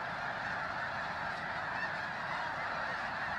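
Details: Snow geese by the thousands arrive in pre-dawn cold at Bosque del Apache, New Mexico, to join birds resting overnight. A continuous wall of nasal honks blends into one steady chorus with no pauses.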